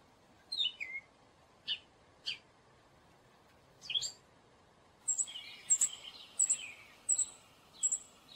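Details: Gray catbird producing scattered squeaky and slurred notes, then a denser run of high thin notes mixed with lower chattering phrases, in an otherwise quiet setting.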